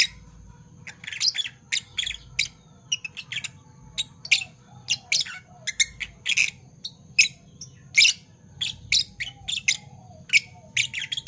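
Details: Pair of caged Fischer's lovebirds in Parblue violet and Parblue turquoise colours, morning: a busy run of harsh, high chirps fired off roughly every half second, some doubled, with a low background hum.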